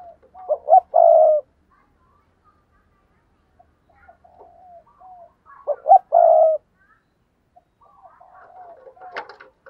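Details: Decoy spotted dove used as a lure bird, cooing to rouse rivals: two low cooing phrases about five seconds apart, each with short stuttered notes leading into a long buzzy coo, with faint soft chirps between.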